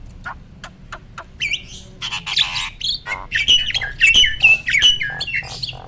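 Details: Adult male Asian pied starling at peak breeding condition, a caged bird pumping as it sings: soft clicks first, then raspy squawks leading into a run of repeated bright whistled notes with harsh chatter.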